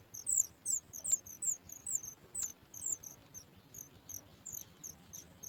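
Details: Thin, very high squeaky begging notes from a Sooty chat chick in the nest, repeated about three times a second at an uneven pace; the chick stretches up when it hears its mother bringing food.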